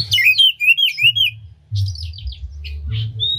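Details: Oriental magpie-robin spreading its tail while singing a unique bait song to fire up other magpie-robins: a quick string of whistled downslurs, then softer scratchy notes and a final clear whistle, over a low hum.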